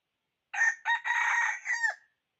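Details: Red junglefowl decoy cock calling to wild fowl gives one loud, hoarse crow: a short opening note, a brief break, then a long strained middle section ending in a falling tail, with nothing else audible.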